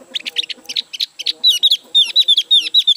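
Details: Newly bought caged Javan grey-throated white-eye, not yet singing fully, gives a rapid series of sharp high chirps that run into bright, slightly descending whistled notes, while a faint low tonal hum sounds underneath.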